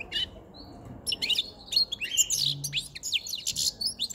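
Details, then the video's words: European goldfinch, a caged white-chinned male caught five months earlier, singing in an aviary as spring and the breeding season approach; bursts of high twittering, buzzy notes and quick trills, loudest after the first second. "jilguero jilguero con Barbeta blanca cantando"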